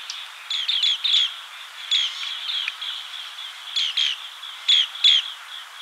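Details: Green bee-eater uttering short, rolling chirps in quick pairs and small bursts over a faint continuous trill, the notes sharp and bright with uneven gaps.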